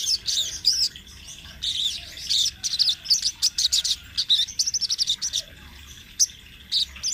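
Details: High-pitched rolling song of a lively sunbird, a master recording for training birds: buzzy twittering phrases alternate with quick runs of crisp chirps.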